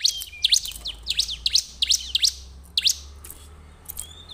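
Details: Bar-winged prinia singing as a lure recording: quick, high, ringing chirp notes in uneven runs, some overlapping, with brief thin whistles between phrases and a low steady hum underneath.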